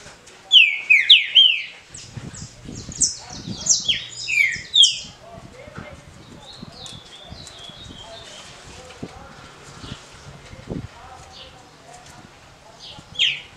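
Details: Green-winged saltator singing a short, smooth Paraná-style competition song. A burst of loud, clear whistled notes, each slurring downward, fills the first five seconds. Fainter high chirps follow over low background murmur.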